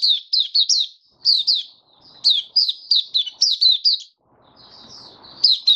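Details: Caged white-eye singing freely in warm humid weather, 23 March 2022: quick high, slurred whistled notes in rapid bursts, sweeping down and up, with a short pause near the middle and faint background rustle.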